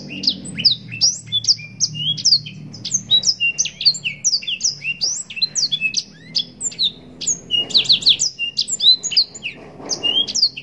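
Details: Nonstop blackthroat (yellow-rumped serin) song with luxurious 'cengkok' phrasing: a continuous stream of quick high whistles, trills and sweeping chirps over about ten seconds, with faint low background hum.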